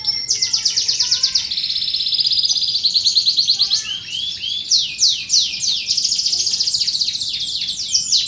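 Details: Canary song for luring and schooling contest and young birds: long continuous high trills shifting in speed, brief soft lower whistles at the start, later a series of descending slurred notes and choppy rattles.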